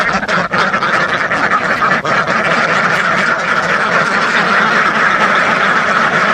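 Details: Crowd of thousands of ducks quacking together, a thick, continuous mass of nasal calls with a couple of short dips in volume early on.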